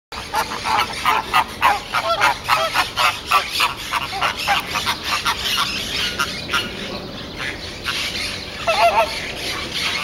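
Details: Chilean flamingos in the menagerie of the Jardin des Plantes zoo, a flock giving rapid, irregular goose-like honks, several per second, overlapping in a noisy chorus for about seven seconds before thinning to scattered calls.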